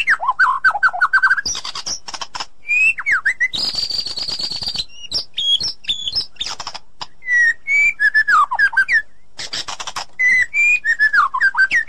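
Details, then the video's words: ['White-rumped shama in the forest, a female calling the male: loud, varied clear whistles, some sliding and warbled, others steady and high, delivered in separated bursts with short pauses between them.'] "Suara Asli__Murai Batu_Di Hutan nyaring"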